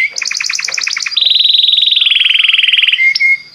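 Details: Belgian canary singing to set other canaries off: a quick stuttered trill, then a long fast buzzy roll held steady for nearly two seconds, ending in a short clear whistle.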